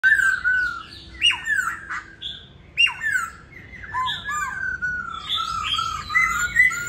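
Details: Caged laughingthrush in Hanoi, Vietnam, tail feathers molting, filmed at home: rich whistled song of sliding, slurred notes and sharp rising calls, phrases tumbling over one another for about seven seconds.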